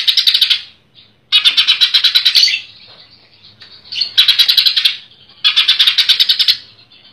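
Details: Cucak ijo, the greater green leafbird, kept in a collection in Comal, Pemalang, delivers tight besetan bursts: four loud, harsh, rapidly pulsed buzzy phrases, each about one second long, with brief quiet gaps between them.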